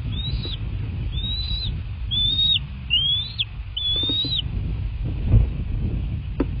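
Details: Bald eagle nest in southwest Florida on a February 2024 night, 23:17. Five clear, thin, high whistles, each rising then dropping, come about once a second against steady low rumbling noise.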